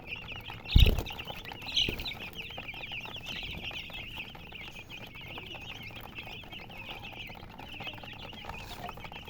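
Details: Baby chickens chirping: many high, thin peeps overlapping in a steady chorus, with a loud thump near the start and another soft knock shortly after.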